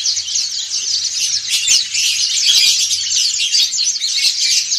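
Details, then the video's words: A group of pleci dakun and montanus white-eyes sings ngriwik together. Rapid, high, squeaky twitters blend into a continuous bright chorus, with a few sharper flicks rising out of the mass of voices. "PLECI DAKUN NGRIWIK BERJAMAAH"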